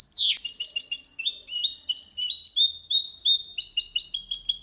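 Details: Hybrid of goldfinch and canary in Malaga style, sung without errors to stimulate males: a brief downward sweep opens a continuous stream of quick, high, ringing notes stepping up and down in rapid rolls.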